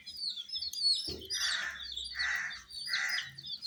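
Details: Young domestic chicks under a heat source give shrill, high peeps at first, then three harsh, broad, rasping bursts about a second apart, with a low thump near the start.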